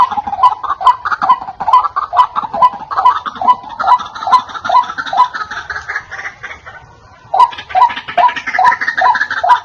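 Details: White-breasted waterhen lure call: a steady string of harsh 'kwak' notes about every 0.4 seconds, a short pause near the seventh second, then the series resumes.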